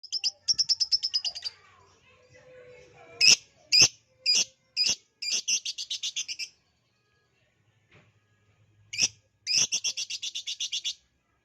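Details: Lovebird song used as a lure to get another lovebird singing: bursts of rapid, high buzzy chattering notes repeated in quick runs, broken by sharp clicks and short pauses, with a faint low hum in the background.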